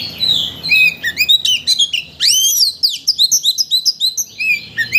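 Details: Lure song of a white-rumped shama for provoking full-repertoire singing: varied high whistles, a loud sweeping upslur, then a steady series of rapid bright chirps and slurred notes.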